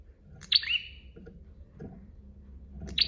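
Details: Bar-winged prinia in lively song, from a master recording: one sharp, high, downward-sliding chirped phrase, then soft low rustling until the next phrase begins at the end.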